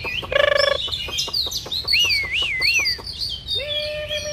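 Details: Oriental magpie-robin fan-dancing and singing against a rival: a buzzy harmonic burst, then clicks, a looping wavy whistle repeated three times, and a closing steady low whistle.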